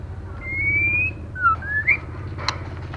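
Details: Female white-rumped shama, used to stimulate males, gives a long rising whistle. Then come short falling and rising whistled slurs and one sharp click, over low rumbling background noise.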